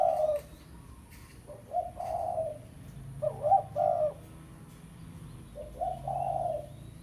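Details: Spotted dove giving a pesom lure call meant to call a rival; three phrases of soft, low, slightly hoarse coos spaced about two seconds apart, each rising briefly then holding steady, over a quiet background.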